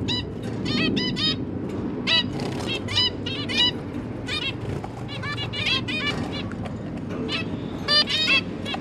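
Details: Zebra finch parents feeding their three new juvenile chicks, 1 October 2022: dense, overlapping nasal beeps repeated in rapid irregular clusters, some doubled, against a constant low background hum.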